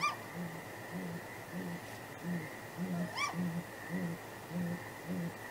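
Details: Great grey owl pair at the nest at night, 23 April 2019, hooting to keep contact before possible mating: deep, soft hoots repeated almost twice a second, with two higher rising-falling wails layered in, over a faint electrical hum.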